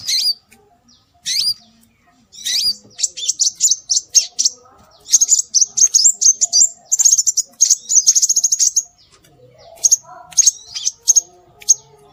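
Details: High-pitched scarlet minivet calls used as a bird lure: a few sharp separate chirps, then a long dense run of rapid thin notes, ending with spaced single chirps over faint low background twittering.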